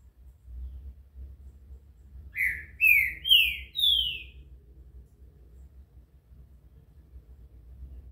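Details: Green-winged saltator giving a desaforo-style phrase of four quick, bright whistles that step slightly higher and slur downward, then fall silent against a steady low background rumble.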